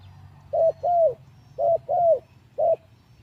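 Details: Decoy spotted dove in captivity, newly moved from a mixing cage three days earlier and not yet fully fit: five mellow coos in paired groups, some notes drawn out and gently descending, over a soft low rumble.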